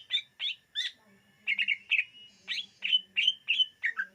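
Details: A greater green leafbird (cucak ijo) sings in a 2022 luring recording, giving crisp separate chirps roughly three per second with short whistled twists between them.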